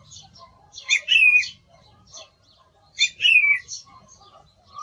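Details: Song thrush singing: two loud bursts of varied, whistled phrases about two seconds apart, each with a sliding clear note, over faint background chirps.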